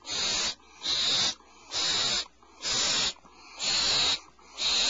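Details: Nestling owls in a cavity, mother delivering prey before dawn at 04:47 PST; loud, drawn-out hissing screeches repeat about once a second in a regular rhythm.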